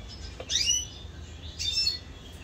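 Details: Red siskin kept as a pet, recorded in 2022: two short bright chirps about a second apart, high and sharp with quick descending notes, over a faint background hiss.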